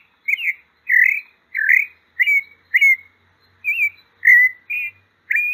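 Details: Sabiá-poca, the pale-breasted thrush of Brazil, sings a run of nine short mellow whistles, swooping and slurred notes evenly spaced about every half second, with silence between them.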